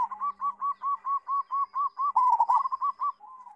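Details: Local zebra dove with a loud, full voice, used to tutor young birds: evenly spaced short cooing notes, roughly six per second, running steadily and ending in a slightly faster cluster and a soft trailing coo.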